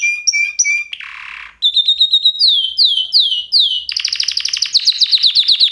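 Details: Canary song opens with short, sharp whistled notes and a brief buzz. Repeated down-slurred whistles follow, then a dense, fast trill.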